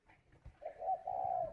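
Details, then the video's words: Captive spotted dove brooding its chicks in an aviary in Ba Vì, Hanoi, Vietnam, giving one soft, drawn-out low coo that swells and holds steady, over a quiet room background. "chim cu gáy hay vừa ấp vừa gù"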